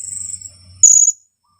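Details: Young blue-crowned hanging parrot aged two weeks, kept as a lure bird, lets out one drawn, piercing high squeal after a moment of faint insect buzzing, then silence.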